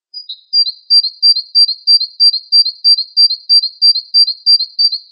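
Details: Wingko Java sparrow giving a very even, rapid string of high piping double notes, about three per second, with a faint ticking overtone, without background noise.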